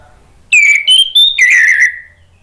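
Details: Orange-headed thrush phrase used to make other thrushes sing: a loud whistled note sliding down, two short clear higher whistles, then a long rich warble falling away.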